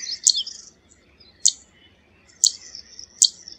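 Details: Zitting cisticola: four loud, piercing high ticks at irregular gaps of about one second, the first followed by a short buzzy trill, with faint high twitters between.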